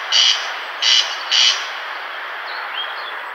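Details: Corn crake (Crex crex) gives three dry, rasping call bursts about half a second apart, a harsh scraping rhythm, followed by faint thin chirps in the background.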